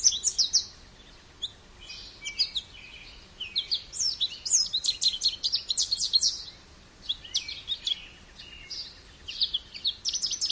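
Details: Extended goldfinch singing, long runs of high, rapid twittering and sharp chirps in bursts separated by brief lulls, bright and tinkling throughout.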